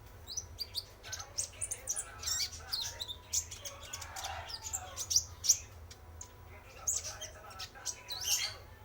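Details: Male spotted sunbird song used as a lure: rapid chittering and high twittering notes with scattered sharp chirps and a few faint lower warbled phrases.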